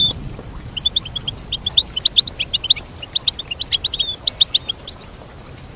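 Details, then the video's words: Bright, melodious goldfinch song: a long, even series of quick high chirps and twitters that grows denser toward the end, with a quiet background. "Teach your goldfinch to sing beautiful motivational songs"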